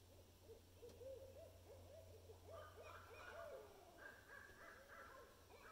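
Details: Barred owls (Strix varia) giving a run of wavering quick hoots that break into a higher, excited cackling chatter, the seldom-heard 'monkey laugh', over a low steady hum.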